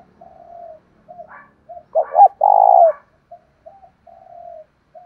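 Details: Lure spotted dove with a loud voice, calling to provoke fighting; a clear low phrase of two short coos then a long drawn coo, surrounded by fainter cooing from other doves.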